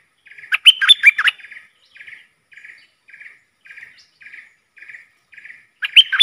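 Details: Worked-up decoy bulbul singing against rival wild birds: a loud, bubbly burst of liquid whistled notes with sharp up-and-down strokes, then a steady run of soft, buzzy chirps about every half second, then another bright burst.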